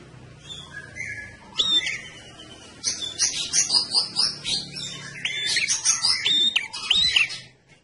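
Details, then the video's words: Lure recording of a red-headed prinia singing eagerly: after a soft start, a dense burst of high, rapid, jangling chirps and trills runs almost continuously through the second half. "Prenjak ndas abang alias prenjak kepala merah gacor, pancingan tembakan prenjak kepala merah"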